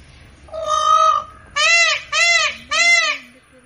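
A peacock gives one drawn-out nasal wail, then three loud, arched, trumpeting cries in quick succession. Faint low rumble behind.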